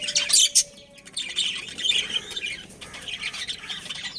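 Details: Chirping from pet budgerigars of a breeding pair: two loud sharp squawks early, then quieter rolling warbles and chatter, with a faint steady tone underneath.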